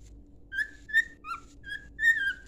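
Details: Five short clear whistles from a pet cockatiel, a training song: level notes with one dipping, the last drawn out and slightly falling.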